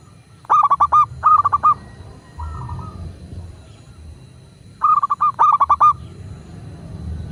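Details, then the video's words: Local zebra dove in Indonesia, recorded to coax doves into singing, delivers paired bursts of fast, stammering mellow coos, one pair early and one near five seconds, with a softer drawn-out note between them and faint low hum. "Perkutut lokal gacor pancingan agar burung perkutut cepat GACOR dan BUNYI"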